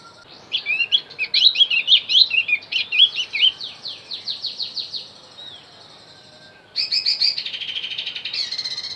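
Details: Javan white-eye song played to lure wild birds: fast high twittering phrases for about five seconds, a pause, then a buzzier chattering burst near the end.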